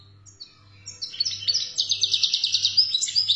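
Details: European goldfinch, Algeria, 'khaloui' song: after a few thin high calls, a fast rhythmic trill of sharp buzzy notes runs to the end, about a dozen pulses, with low background hum.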